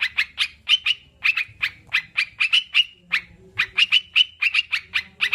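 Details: Sooty-headed bulbul, recorded as a therapy track meant to get kept birds singing and calm them: bursts of harsh, rapid chattering notes, about six a second, with brief slurred whistles and a short pause midway.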